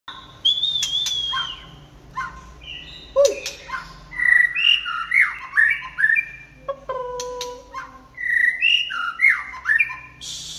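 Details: White-rumped shama singing in the late afternoon: rich varied phrases of clear whistles, slurred notes and harsher chattering bursts, with pauses between phrases and a few sharp clicks.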